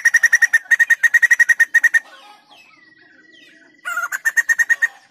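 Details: Fast staccato chatter from a white-crested laughingthrush stops after two seconds. A long, flat, thin whistle follows, then the quick repeated notes start up again.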